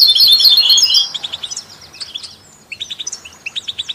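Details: European goldfinch song for stimulating other songbirds, heard with canaries and mules: a brief loud burst of dense high twittering, followed by spaced, sharp chirping notes about four per second.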